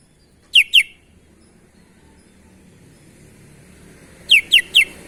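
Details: Sooty-headed bulbul singing actively with unusual notes: two quick downward-sweeping whistles, a pause of several seconds, then three more in fast succession.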